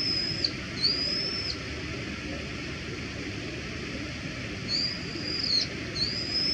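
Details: Wild Brown-eared Bulbul (Hypsipetes amaurotis) giving its everyday ground call: loud, high, drawn-out squealing whistles in pairs, each sliding up then dropping sharply at the end, over a steady low hiss.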